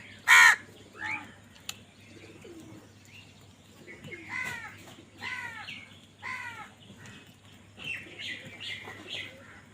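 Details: Crows squabbling over food: a sharp burst followed by several hoarse caws spaced a second or so apart, with faint chirps and a low background hum.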